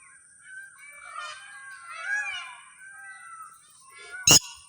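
A red-wattled lapwing gives a few harsh, nasal, slurred calls over about four seconds, ending with a sharp click and a steady high hiss.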